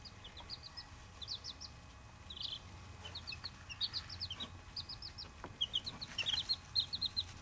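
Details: Baby chicks, Buff Orpingtons and bantams, peeping: short high cheeping notes in quick groups of two to four, scattered irregularly over a low steady background hum.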